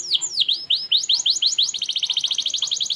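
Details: Canary song meant to make young canaries learn and sing along: a few swooping whistled notes, then rising chips speeding into a long, even, rapid trill.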